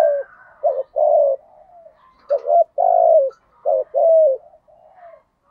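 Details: Spotted dove calling in thổ style to draw in wild doves: three quick coo phrases, each a paired short note and a long wavering coo, with fainter overlapping coos and higher sliding tones between them.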